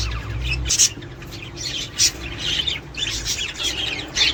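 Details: Budgerigars twittering to prompt pairing and breeding: irregular bright chirps and squeaks with scratchy warbled phrases between them, over a faint low background hum.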